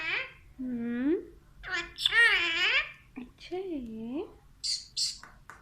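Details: A pet talking Alexandrine parakeet speaks in Urdu/Hindi in harsh, nasal, word-like phrases with rising and falling pitch, ending in a few shrill squawks. The room is otherwise quiet.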